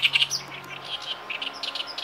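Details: Oriental reed warblers in near full chorus in reeds beside a riverbank in Kita-Harima, inland Hyōgo, Japan, singing in the open after initial wariness: harsh, grating chatters and creaky notes in quick uneven bursts over a faint low hum.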